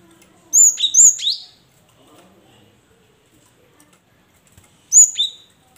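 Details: Cinereous tit singing to stir reluctant caged birds into song: a phrase of two high, falling whistles, then after about three seconds of quiet a single similar whistled note.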